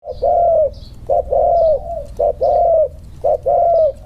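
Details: Two spotted doves set side by side to compare their inner-circle cooing style; low hollow coos in short-long pairs, each long note slightly falling, repeated about once a second, clear and close.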